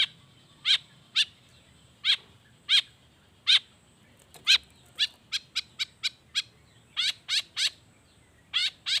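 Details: Long-tailed shrike in persistent 'gacor' song with natural fills, used as a lure to set off silent shrikes. Steady series of short, harsh, grating notes, spaced irregularly, then speeding into quicker clusters near the end.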